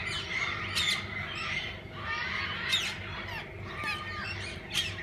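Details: Parakeets of different kinds calling together in a walk-in aviary at a parrot park; sharp rasping squawks burst out every second or so above a constant bed of shrill chirps and twitters.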